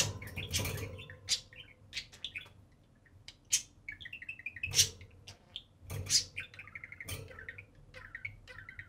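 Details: Pet budgerigars, a pair, chattering while they play on top of the cage indoors: warbled runs of repeated notes mixed with clicks, squeaks and occasional thumps of movement.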